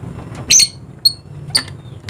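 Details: Short, thin squeaks and one brief harsh squawk from a dusky lory, a Papuan endemic of eastern Indonesia, each lasting a fraction of a second.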